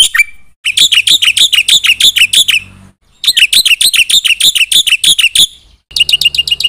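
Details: Chatty 'gacor' Black-winged myna song packed with 'isian' fill phrases to provoke other birds: three dense bursts of fast, harsh high chattering notes separated by short silences, with a faint low hum underneath.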